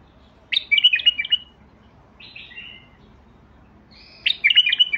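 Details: White-eared Bulbul (Basrawi bulbul) song: a fast, bubbly phrase of clear notes, a softer falling whistle in between, and a second energetic phrase about three and a half seconds later.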